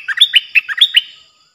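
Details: Decoy bulbul song recorded 8 May 2021: a lively phrase of about six bright, bubbly notes alternating high and low within a second, loud and clear over a faint steady high hiss.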